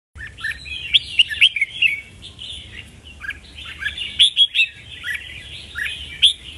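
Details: Red-whiskered bulbul singing: bursts of bright, chirpy warbled phrases with sharp whistled accents, separated by short pauses.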